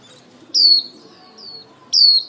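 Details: Female lure white-eye calling the flock, a recording used for bird trapping: two loud, high, thin whistled notes sliding downward, about 1.4 seconds apart, with a faint softer note between them.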